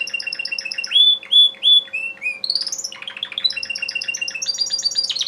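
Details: Timbrado canary male from a breeder's stock sings three loud drawn whistles, then a rising sweep into dense rapid rattling trills and repeated high notes, over a low steady hum.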